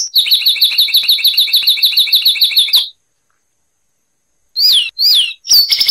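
Zapata wren giving a quick, even run of high chirping notes for about three seconds, then a pause and several loud, slurred whistled phrases.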